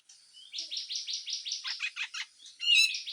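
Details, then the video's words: Grey-cheeked bulbul in harsh full song, used as songbird training audio. A steady run of about a dozen rasping, buzzy notes, each sliding downward, ends in a brighter, sharper phrase. "MASTERAN CUCAK JENGGOT FULL KASAR DAN BESETAN"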